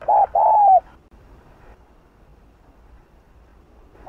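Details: Spotted dove giving its 'Hạp Bổi' style cooing, used to provoke other doves: a short mellow note, then a longer hollow falling coo, followed by quiet and a brief coo at the very end.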